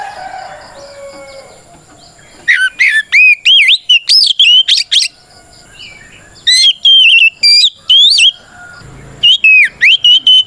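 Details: Oriental magpie-robin singing loudly in fighting style, used to provoke other birds into answering: bursts of sharp whistled notes sweeping up and down, delivered in fast volleys separated by short pauses, with a faint background hum.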